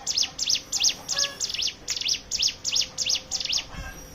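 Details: Hill prinia singing, recorded as a lure to prompt other birds into song; a steady train of sharp, high, down-and-up notes repeated nearly three times each second without a break.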